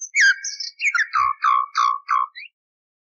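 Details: Common nightingale song for canary training, from a recording estimated to be at least 30 years old with the noise taken out: a quick run of rich, falling, gurgling notes repeated several times in a row.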